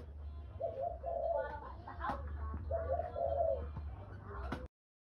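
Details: Spotted dove calling two phrases of soft, low coos separated by a pause, set against a noisy room background with clicks and handling sounds, ending abruptly.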